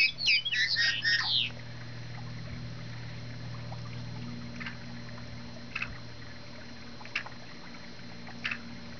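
A yellow-headed blackbird gives one loud, harsh, grating screech lasting over a second. Faint short notes follow every second or so over a low background hum.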